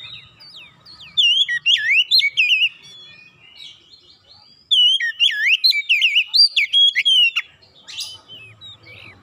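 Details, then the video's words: Oriental magpie-robin song meant to draw the attention of other magpie-robins. Two bursts of rich, varied whistling with swooping, warbled phrases and sharp high notes, separated by a quiet pause, against faint low background noise. "kicauan narik perhatian Kacer lain"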